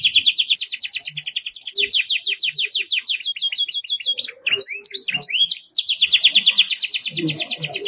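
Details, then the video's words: Singing Belgian canary used for tutoring young birds: rapid rolling trill of rhythmic repeated notes, a brief jumble of rising chirps midway, then the trill resumes strongly; loud and close with slight background rustle. "Canario belga com muita fibra pra encarte."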